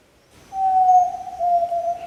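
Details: Song of a yellow-legged tinamou at Rio Doce State Park, Brazil: one pure, sustained whistled note held nearly level for over a second with a slight waver, clean recording with little background noise.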